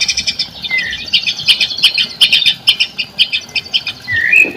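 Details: Lure song of a white-rumped shama, meant to prompt reluctant birds to sing: quick run of sharp repeated chip notes and buzzy trills, with a short upslurred whistle at the start and again near the end.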